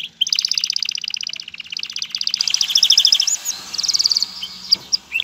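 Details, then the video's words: Male canary song meant to prepare a female for mating and nest building; long rapid rolled trills changing speed and pitch, followed by quicker chirping phrases and a few scattered sharp notes. "اقوى تغريد ذكر الكناري لتجهيز انثى الكناري للتزاوج و تحفّزها على بناء العش"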